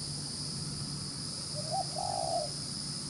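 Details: Field-caught spotted dove with a fast, rapid cooing style: one low coo phrase with a brief lead-in note and a longer, slightly wavering hollow coo, over a faint hum and background hiss.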